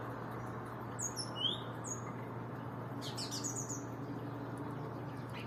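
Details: Singing bird giving clear, high, whistled downslurred notes in a quick series, then a burst of sharp chirps, over a constant low hum.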